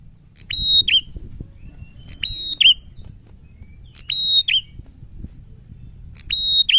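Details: Prinia singing loud and challenging: a short phrase of a flat high whistle ending in a quick downward flick, repeated four times about every two seconds, with faint low background hum.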